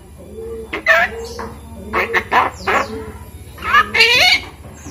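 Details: Hand-raised Javan myna aged five months, being taught to talk, producing speech-like phrases with bursts of harmonic, voice-like notes alternating with rasps, roughly six phrases in five seconds.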